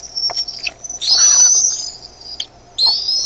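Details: Decorah bald eaglets on 13 May 2015, evening, getting louder as the adult arrives with food while one chick spreads its wings; sustained high piercing whistles with brief breaks, one long drawn squeal in the middle.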